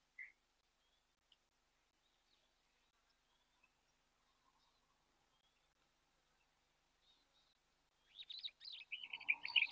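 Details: Superb starlings bathing at an African waterhole give a few faint, scattered chirps, then a loud burst of harsh, chattering notes in the last two seconds.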